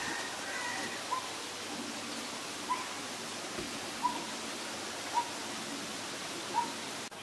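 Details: Green-billed malkoha giving five short, soft single notes at a mid pitch, spaced about one to one and a half seconds apart, over a steady hiss of background noise.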